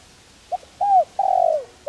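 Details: Spotted dove calling softly to rouse decoy doves. A quick low note, an arched coo and a long burry, falling coo, with the next phrase just starting at the end.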